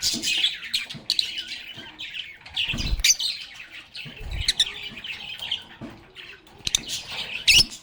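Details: A group of lovebirds chatters and plays: a continuous stream of overlapping high, squeaky twitters and sharp chips, with louder shrill squawks near three seconds and again toward the end.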